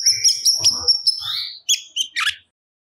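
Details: Cucak cungkok singing vigorously, pouring out its stored repertoire, used as master audio for training other songbirds: quick high chirps and sharp whistled notes in a busy burst, then a short buzzy phrase before falling silent.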